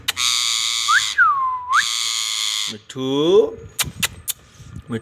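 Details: Ringneck parrot talking: two long, harsh, buzzy screeches framing a pair of swooping whistled notes, then a short speech-like phrase with stacked falling tones, followed by several sharp clicks.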